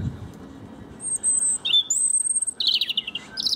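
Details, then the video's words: European robin perched beside a lawn being mowed, singing thin, very high drawn-out whistles, then a quick tumbling series of bright warbled notes, with a faint low hum of a mower underneath. "Robin Chirping and Singing"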